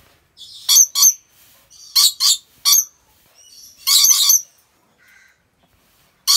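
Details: Rainbow lorikeets kept at Gurun Putih Lestari wildlife park in Aceh Besar, Aceh, Indonesia, giving harsh, broad screeches in short bursts and pairs, with softer chattering notes between them.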